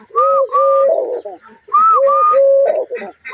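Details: Finger tapping accompanies a dove's repeated cooing, with mellow, even notes strung into phrases that end in a rougher, buzzier burst, then resume after a short pause; slight room echo.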